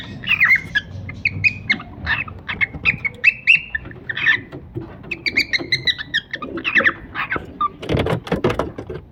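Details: Chattering calls of two pet cockatiels: clipped chirps and squawks in irregular runs, ending in a harsher, noisier burst of sound.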